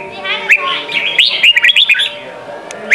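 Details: Sông kon style song of a red-whiskered bulbul, intended to train young birds. Fast run of bright, warbled chirps with sharp rising notes at the start and end, over a steady low hum.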